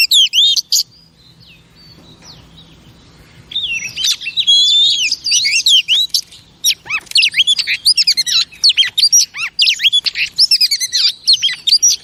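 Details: A female oriental magpie-robin sings to rouse males, opening with loud chirps. After a quiet gap comes a long, dense stream of high, varied warbles and sharp notes.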